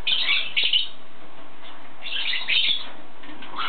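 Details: Yellow-sided conure giving two clusters of harsh, scratchy chattering notes near the start, then a quieter pause and another rasping burst around the middle. A softer trailing note comes at the end, over a steady low hum.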